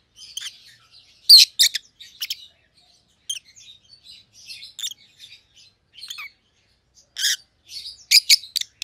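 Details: Two rosy-faced lovebirds, a white-headed pallid opaline and a white-headed green opaline, chatter in shrill, high chirps and squeaky twitters, with louder harsh shrieks breaking in at irregular intervals.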